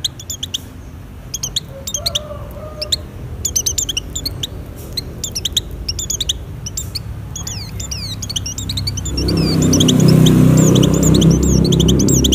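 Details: A breeding-condition Oriental white-eye gives sparse, high, thin chirps in short bursts, the song meant to lure other white-eyes. Notes grow busier near the end, where a loud low rushing noise rises underneath.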